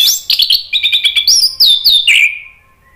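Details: Male orange-headed thrush, singing as a lure in spontaneous answer: a dense, rapid stream of high sweet whistles and chattering notes, closing on a downward slurred whistle.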